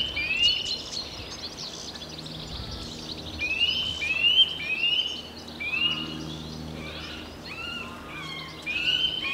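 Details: Eurasian nuthatch singing while building its nest, recorded with a Tascam DR60D II and Sennheiser MKE 600: a series of clear rising whistles repeated about once a second over steady background noise.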